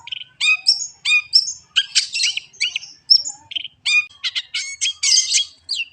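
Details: Long-tailed shrike (cendet) song: a varied, rapid run of sharp whistled notes, chattering bursts and harsh buzzy phrases, mostly high-pitched with brief gaps between phrases.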